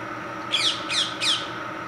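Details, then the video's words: Parrots on the IRMA campus shrieking: three harsh, raspy squawks in quick succession, each a short burst about a third of a second apart, over a faint steady hum. "Shrieking parrots"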